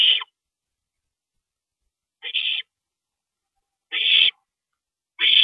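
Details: Owl at its nest during a nighttime parent visit, 2:40 AM, April 22, 2012: four raspy, noisy screeches, about 1.5 to 2 seconds apart, each a brief harsh burst.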